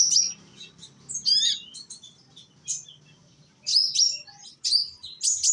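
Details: Konin sunbird, young, from Indonesia, its song meant as a lure for other birds; bursts of sharp, very high chirps and squeaks separated by short quiet gaps over a faint hum.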